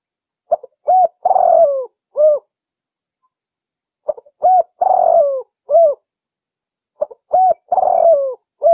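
A dove coos in low, soft phrases of four notes, the third long and falling, repeated about every three seconds in a quiet setting.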